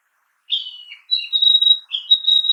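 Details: Narcissus flycatcher in a forest giving a whistled phrase: a falling slurred opening note, then a long steady high tone with a lower inserted note, ending with another slur into a held whistle; background quiet.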